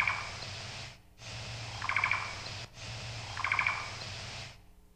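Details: Black-billed Cuckoo nocturnal migration flight call from a bird passing overhead at night: a quick, stuttered burst of three or four soft, high notes, repeated about every second and a half over low hum.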